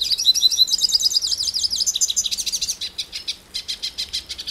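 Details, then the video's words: A Brazilian hooded siskin sings a string of looping high whistles that dissolve into quick, repeated chirps, slowing and softening toward the end. "The Song of the Pintassilgo Cabeça Preta"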